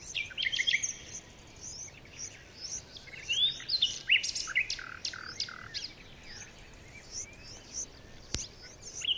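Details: Hungry red-vented bulbul chicks beg with their mother near, giving a busy run of thin, squeaky, high-pitched overlapping chirps, with a single sharp click near the end.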